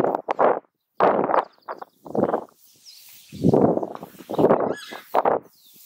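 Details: Southern screamer giving loud, harsh calls in a series of broad honking bursts about a second apart, with short gaps of silence between them.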